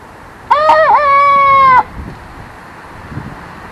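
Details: Young rooster crowing: a single harmonic crow of about 1.3 seconds, a short wavering start followed by a long steady held note that ends abruptly, then quiet background.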